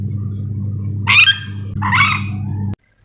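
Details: Yellow-and-green lorikeet, the Sulawesi-endemic nuri dora, calling: two harsh, broad screeches about half a second apart, over a steady low mechanical hum that cuts out at the end.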